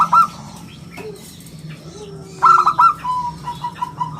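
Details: Local zebra dove with a round, crystal-clear song used to lure and tutor other birds: a bright stuttering coo opens, then after a pause another phrase trails into a row of short even notes, plus faint softer chirps.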